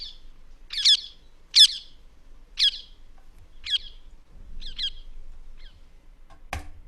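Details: Non-native ring-necked parakeets in Tower Hamlets Cemetery Park, London, screaming as they fly around, give harsh, high-pitched screeches, about six in five seconds, growing fainter as they move off, followed by a single sharp click.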